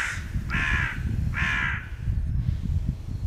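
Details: Crows squabbling over peanuts along a territory border give two drawn-out, rasping caws in close succession, with wind rumbling beneath.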